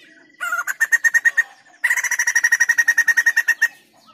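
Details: White-crested laughingthrush in vigorous song for training or prompting other birds: two quick bursts of evenly repeated harsh chattering notes with a short gap between, each note sharp and rhythmic.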